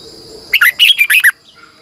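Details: A red-whiskered bulbul decoy's morning fighting song, long twisted double-voice style for training birds: after a pause, a lively phrase of five or six loud slurred whistles that rise and dip, then a faint hissing background.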